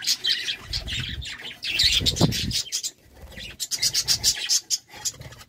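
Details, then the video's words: Budgerigars in courtship: fast, grating chatter and chirps in uneven bursts, broken by a short pause, with low rustling and bumping sounds underneath. "Love time for budgies"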